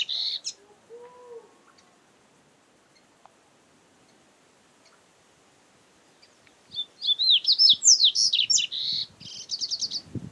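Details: Double-collared seedeater in nature: a brief high note at the start, a long quiet stretch, then a loud burst of sweeping, zigzagging whistles ending in a fast buzzy trill.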